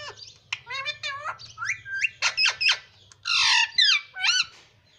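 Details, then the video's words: Pet parrot talking, said to be saying "mummy" and "papa", indoors: a rapid run of harsh, bent, voice-like squawks and syllables, several rising and falling sharply, with a low steady hum underneath. "Parrot talking mummy Papa"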